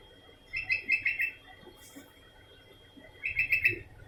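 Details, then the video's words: Continuously calling sooty-headed bulbul giving two short strings of fast chirping notes, roughly five each, separated by a quiet gap of about two seconds, with soft rustling and a faint steady electronic whine behind. "Burung kutilang berbunyi terus menerus"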